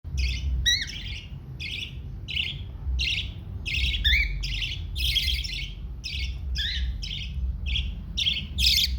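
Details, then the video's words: Baby cockatiel, a pet parrot chick, during feeding time; rapid harsh, squawky chirps repeated roughly twice a second throughout, some with quick falling inflections, over a steady low rumbling background. "Baby Parrot Feeding Time – So Cute!"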